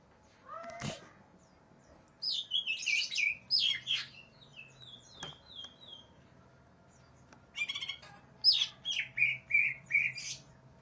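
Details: Agitated greater green leafbird looking for a rival delivers scattered phrases of high, sweeping whistles and harsh chatter. Brief pauses break up the song, with a low mechanical hum and occasional clicks in the background.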